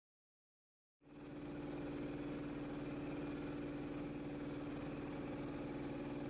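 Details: After a second of silence, a steady idling engine hums with a strong low drone, and no animal calls are heard.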